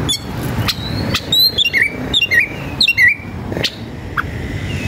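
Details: Agitated Oriental magpie-robin singing while seeking a rival to fight. Sharp, clear whistled notes and short slurred phrases come in scattered bursts over a steady rumble of background noise, possibly traffic.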